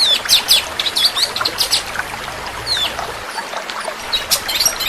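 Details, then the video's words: Shrike song in the fast 'tembakan' style: sharp upslurred whistles and scratchy high notes in quick bursts, a pause with scattered chips, then more piercing notes; faint low hum early on and steady background hiss. "Tembakan burung cendet super speed dan roll panjang"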